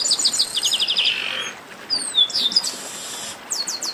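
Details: Chestnut-capped blackbird (garibaldi) 'baderna', a noisy chorus: quick trains of short high chips, a rising-falling whistle near the middle, then a burst of rapid downslurred notes at the end, with several birds overlapping.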